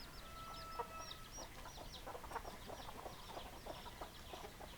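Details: Chickens clucking: a thin level tone opens, followed by dense rapid clucks in uneven bursts, several birds overlapping against low background rumble.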